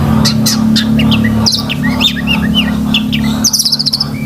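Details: Long-tailed shrike song for training pet birds: a scattered series of short chirps and curved whistled notes, ending in a quick burst of high twittering, over a strong low electrical hum.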